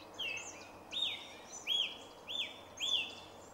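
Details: Song thrush singing on 2 March 2016 in a grove by Jarun, Zagreb, Croatia: a loud rising-then-level whistle repeated four to five times at steady intervals of about two-thirds of a second.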